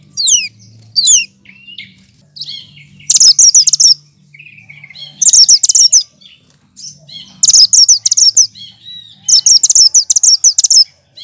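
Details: Cucak kinoy leafbird, a green songbird that imitates other birds and is kept to teach them, opens with falling whistles, then delivers loud dense chattering bursts every two seconds over a faint low hum.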